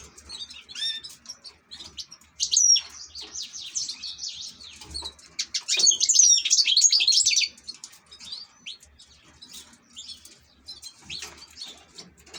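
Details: An ornamental European goldfinch sings two loud bursts of rapid, jingling twitters separated by quieter scattered chips and soft chirps.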